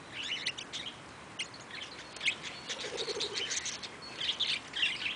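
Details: Eastern rosella (Platycercus eximius) recorded at Velserbeek giving quick high chirps in short clusters, louder toward the end, with a soft low rustle partway through.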